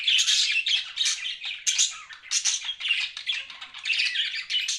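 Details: Loud, continuous budgie chatter: rapid scratchy chirps and squawky warbled notes running without a break, recorded close indoors.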